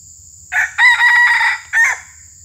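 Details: A red junglefowl, a new bird being trained as a lure for rival males, gives one short, harsh crow in broken syllables with a clipped final note, over a steady high insect-like whine.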